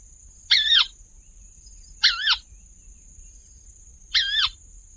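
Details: A crake of densely vegetated wetlands, brown above and pale gray below with a black eye mask bordered by white stripes, gives three short raspy two-part kawa calls about two seconds apart over a steady high insect-like hiss.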